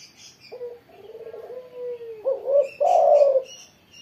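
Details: After being set out in the morning sun, a spotted dove sings energetically: soft hollow notes slide downward, then a rising coo and a loud drawn-out throaty coo end the phrase; small high twitters from other birds in the background.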